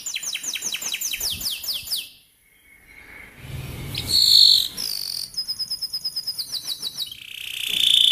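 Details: Canary training song for young canaries: fast sweeping trill at the start, a short pause, then a loud buzzy note, bright whistles and a rapid rolling trill rising to a high buzzy note at the end.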